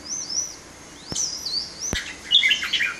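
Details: Red-whiskered bulbul, a caged bird shown in display: thin high whistled slurs early on, two sharp clicks, then a bright burst of jumbled chirpy notes near the end.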